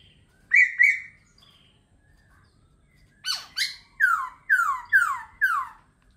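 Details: Laughingthrush song opens with two bright, buzzy rising notes, then after a pause a series of six loud, downward-sweeping whistled notes spaced about half a second apart.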